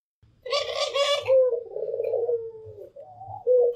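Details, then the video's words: White pelung-type Barbary dove with a local Barbary dove, calling often: a quick, throaty, laughing trill, then drawn-out, low, level coos with small wavers, ending in a loud, steady coo. "SUARA PUTER PELUNG PUTIH DAN PUTER LOKAL"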